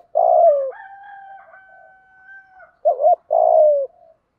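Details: Cooing of a spotted dove, used to train a newly caught bird: a long falling coo, a sustained steady higher tone lasting about two seconds, then a wavering double coo and another long descending coo.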